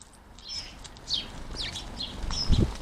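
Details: House sparrows at a garden feeder, close up: a quick flurry of high chirps and a downward cheep, ending with a soft thump from the feeder.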